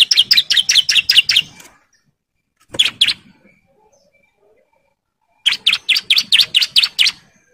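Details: Male bar-winged prinia, in breeding condition and calling to females, sings loud bursts of rapid, ringing chirps, around eight notes per burst, then falls silent before a short phrase and another full burst.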